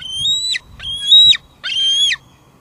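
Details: Three drawn-out, piercing squeals from a female bald eagle calling at the nest, each about half a second long and dropping at the close. Evening, July 2022, Two Harbors, captured through a live nest cam with faint hum.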